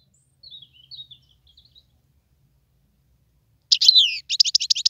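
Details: Wild European goldfinch: soft, faint thin whistled notes at first, then a loud, sudden burst of fast, liquid twittering and rapid repeated chirps at the end.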